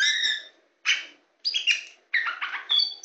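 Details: Tame Oriental magpie-robin (kacer poci) perched on a hand gives four separate bursts of song: harsh harmonic squawks, scratchy chatters and quick mixed whistles, with short silences between them.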